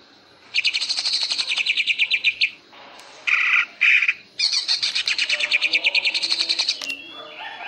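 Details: Greater green leafbird used in contest training, ngentrok style: long fast stuttering rattles of high metallic notes, broken by two short harsh buzzy bursts, then another rapid rattle lasting over two seconds, ending in softer twittering.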